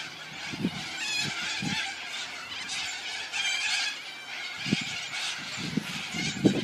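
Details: On a summer evening in Geelong, Victoria, Australia, a flock of cockatoos flies past to the tallest tree, giving a continuous chorus of harsh, grating screeches, with a few low thumps and murmurs underneath.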